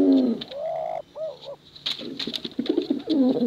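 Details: Pigeon cooing from males and females, meant to lure young birds; a deep coo, a rising drawn note, two short looping notes, then softer rolling coos.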